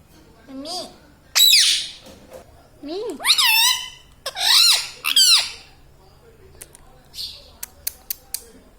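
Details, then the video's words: Talking pet Indian ringneck parrot laughing: rasping, nasal phrases that swoop up and down in arches, delivered in uneven bursts with short pauses, then a few faint clicks near the end. "Hasne Wala Tota || laughing mitthu || Talking Parrot"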